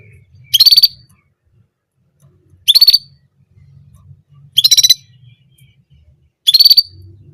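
A German canary repeats one short, bright, rapidly pulsed trill about every two seconds, with a faint low hum in the background.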